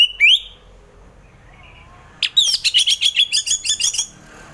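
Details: Orange-headed thrush delivering relaxed ngeplong song, used as morning therapy for thrushes slow to sing: an upslurred whistle, a pause, then a long, evenly spaced series of about a dozen sharp, ringing high notes.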